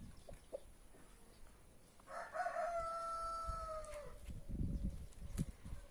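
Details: Free-range rooster crowing in a back yard among brahma, marans, naked neck and white star chickens: one long harmonic crow, a rough start settling into a steady, slightly falling tone of about two seconds, with faint low rustling around it.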